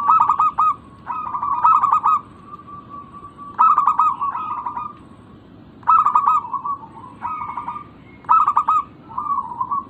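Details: Local zebra dove used as a lure to draw other doves into calling: rapid staccato cooing bursts near the same pitch, each phrase stuttering then holding a short trill, phrases returning roughly every two to three seconds over a faint low hum.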